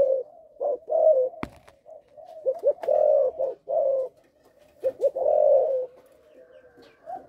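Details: Caged spotted dove from a Malaysian line, cooing with a stutter on the opening three notes. Low, hollow coos come in uneven phrases, some notes doubled quickly, with a single sharp click early on.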